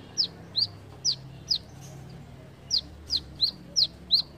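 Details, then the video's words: A brown-throated sunbird repeats sharp, high, slurred chip notes in two bursts of four to five, separated by a short gap, each note crisp and evenly loud. "BESETAN MEMUKAU KOLIBRI KELAPA"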